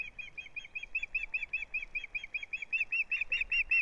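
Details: At a live-streamed Osprey nest on 6 April 2017, where the male wrestles with a large fish and the female: an unbroken stream of quick, evenly spaced, piping chirps, about five per second, slightly rising in loudness.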